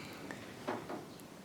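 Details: Long-tailed tits moving up and down kitchen window glass looking for insects make two or three soft, dry tapping knocks about a quarter-second apart over a quiet indoor hum.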